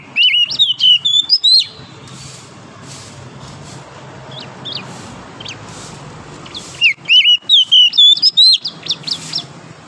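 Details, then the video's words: Morning song of a wild forest oriental magpie-robin: two loud bursts of rapid clear whistled notes, rising and dipping, separated by several seconds of faint distant notes and steady hiss. "OCEHAN KACER DIAPAGI HARI, suara asli kacer hutan liar"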